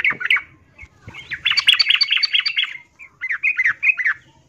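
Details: Female yellow-vented bulbul in breeding condition calling for a male: a few sharp notes, then a dense excited burst of rapid chattering, then a short series of bubbly, bouncing liquid notes.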